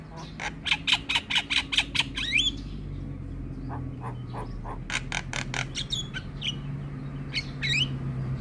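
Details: Javan myna, a lively master singer, opening with a fast run of harsh rattling notes followed by scattered squeaks and whistles amid steady low background noise.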